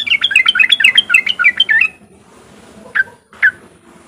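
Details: Sooty-headed bulbul riwik song, used to stimulate other untrained bulbuls: a brisk two-second run of bright, sliding chirps, followed after a pause by two single lower chirps.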